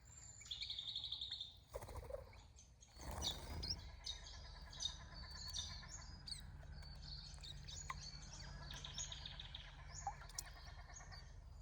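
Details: Western rosellas visiting a garden bird bath in Australia: short high chirps in quick runs near the start and again around the ninth second, with a brief rough splashing or rustling burst early on and steady low background hum.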